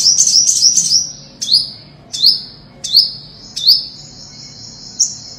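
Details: Olive-backed sunbird singing, a recording meant to lure birds for trapping: a brief fast twittering trill, followed by five crisp high notes that slide downward, spaced under a second apart, and a faint final chip.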